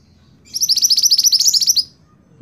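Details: Scarlet-backed flowerpecker singing, a song suited for tutoring cage songbirds in a rolling style: a very high, rapid, even trill of roughly fourteen sharp ticks, about one and a half seconds long, in quiet surroundings.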